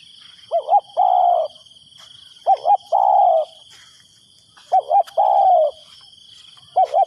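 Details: Spotted dove used as a decoy, cooing to lure wild doves: low mellow phrases of two quick clipped notes and then a longer drawn-out coo, repeated about every two seconds, over a steady high insect hum.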